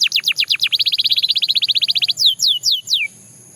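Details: Belgian canary singing a fast series of down-slurred notes that tightens into a rapid rolling trill, followed by three slower, loud descending whistles, then silence.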